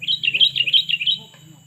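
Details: Sooty-headed bulbul (kutilang) lure call: a quick run of bright, high chirps and twittering notes for about a second, fading out. A low steady hum sits underneath.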